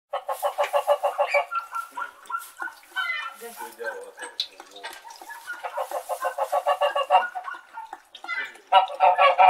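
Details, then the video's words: Several domestic white geese honk in loud, nasal bursts, calling over one another in quick repeated runs with brief quieter gaps. "Sound Of Domestic White Geese Honking"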